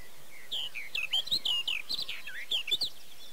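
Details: Hungarian Barred warbler, Erdőhorváti, Tokaj, May 2013, filmed with a Canon EOS 7D: continuous rapid warble of scratchy, looping notes and short rising and falling whistles, delivered in a quick tumbling stream.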